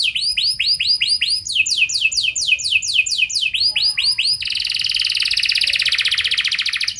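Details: Lure song of a canary meant to set other canaries singing, rich and long-phrased: rows of rapid falling sweeps, changing pace, ending in a long dense buzzing trill.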